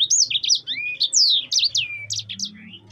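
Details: Sanger, the yellow-fronted canary, singing in lively rolling style: a fast string of high slurred whistles and chirps, some sliding down sharply, delivered without pause over a soft low background rumble.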